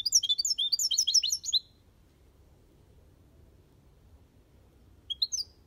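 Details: Aviary European goldfinch singing the Malaga copy: a quick run of twittering, tinkling chirps for about a second and a half, then quiet, with a short burst of notes near the end.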